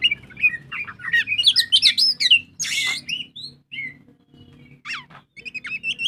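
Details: Oriental magpie-robin in excited ngobra song, played to lure other birds into singing: a fast tumble of high whistled and chattering notes, a harsh hissing burst, then sparse sharp calls and rising whistles.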